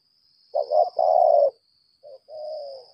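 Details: Decoy spotted dove of the lambung kuk type, used with a trap, giving its challenge calling: a two-note stuttered coo then a long, level, husky coo. A short phrase follows, over a steady high-pitched hum.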